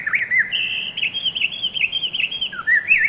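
A Pacific wren pours out a long, tumbling stream of high, rapid trills and warbles that run without pause for the full three seconds.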